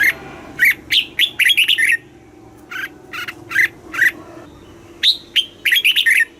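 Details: Southern master-style song of a caged red-whiskered bulbul, Thailand, used to rouse birds and teach chicks: loud ringing whistles with upslurred and downslurred notes, grouped in fast trills of four to six notes with brief silences.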